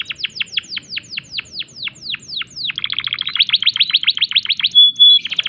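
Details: Canary in breeding condition: a long run of evenly repeated falling notes, then a faster stuttering trill, a short pure whistle, and a final chip burst.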